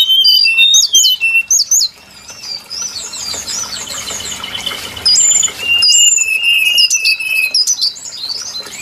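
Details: Lure song of the brown-chested jungle flycatcher for trapping birds: bright, high whistles in looping slurred notes, several voices overlapping, with a sustained wavering whistle near the end and brief pauses between bursts.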